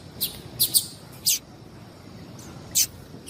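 A female Yellow-bellied Seedeater gives thin, high chip notes, singly and in quick pairs, spaced irregularly over a soft background hiss.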